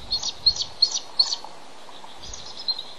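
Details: Male bald eagle incubating eggs on the nest, part of a reintroduction project, calling out for his mate to relieve him: a quick series of about five high, thin chirping notes, a pause, then two more, over steady background hiss.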